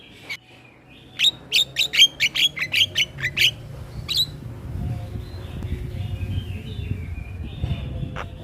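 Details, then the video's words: Male Asian pied starling singing as a tutor for other starlings: a quick series of sharp clicking whistled notes, after which a steady low rumbling background noise takes over. "Kicauan Jalak kebo Jantan Full Isian Pas Untuk Masteran Semua Jenis Burung jalak"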